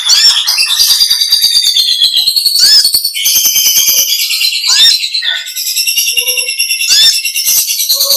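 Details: Olive-backed sunbird (konin) in long chattering 'ngekek' song style, delivered vigorously: continuous dense high-pitched twittering with rapid ticking pulses and brief whistled sweeps, scarcely pausing over eight seconds.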